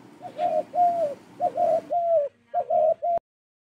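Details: Dove, called ghughu, played back for toddlers learning bird names: a run of soft, hollow cooing notes in quick succession, each slightly arched, about seven coos with short gaps before an abrupt stop.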